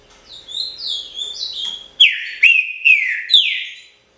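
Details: Green-winged Saltator known as trinca-ferro or pixarro: quieter descending whistled notes lead into four loud, rich whistles with bright attacks and falling tails in steady rhythm; a low hum runs faintly underneath.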